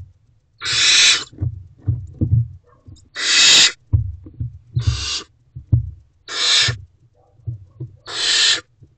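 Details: Hungry barn owl owlet in an owl box on the evening of 4 May 2023, 8:26 pm, hissing while waiting for its parents to bring food: five harsh, breathy bursts, each under a second, repeated about every two and a half seconds over low thumps.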